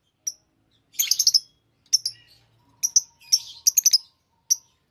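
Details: Lovebirds chirping and singing, sharp high squeaky notes in quick clusters of three to five, scattered across the stretch with pauses between groups; a faint low steady tone runs underneath.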